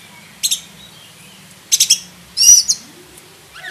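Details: Black-breasted oriental magpie-robin uttering three short bursts of high, buzzy chirps spaced over a few seconds, with a low hum in the background.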